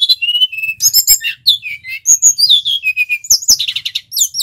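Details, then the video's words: Male brown-chested jungle flycatcher from Bali in full, vigorous song, used as a lure for trapping and for training wild-caught birds: a rapid, varied run of clear high whistles, some sliding down, mixed with short chirps and quick trills. "Sikatan rimba dada coklat bali gacor - PIKAT Burung SRDC"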